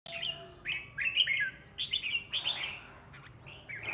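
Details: Red-whiskered bulbul kept as a decoy bird, singing in a series of bright warbled phrases that rise and fall, with pauses between bursts and a faint steady hum underneath.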